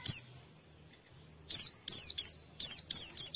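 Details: Oriental white-eye in the morning, singing to encourage other birds to start: a single high chirp, a pause of over a second, then a fast series of piercing, falling notes.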